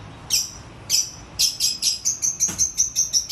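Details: Long-tailed shrike (cendet) singing: sharp high chirps, a few spaced notes at first, then a quickening run of evenly repeated bright ticks about five per second, one short low thump midway.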